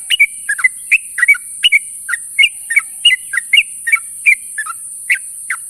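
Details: Sooty-headed bulbul calling to companions in the morning: short bubbly, liquid two- and three-note phrases, rising and falling, repeated roughly every half second, over a steady high-pitched hiss.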